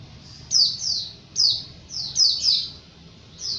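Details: White-eye (pleci) in vigorous wild-type song used as a master recording: sharp high downslurred chirps in short bursts, several grouped near one second and two and a half seconds, with quiet pauses and faint low background hum.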